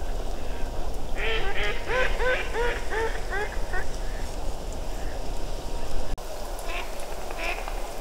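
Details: A fairly large flock of Mallards settled at the Ptasi Raj reserve in Poland in late autumn, recorded from an observation tower: a quick run of nasal quacks in the first half, then scattered calls over a strong low rumble of wind.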